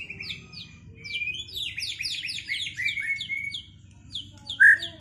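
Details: White-rumped shama after moulting, set in a duel to restore its performance: varied whistled and buzzy phrases with quick descending slurs, fairly quiet, over a low background hum, ending in one loud bright note.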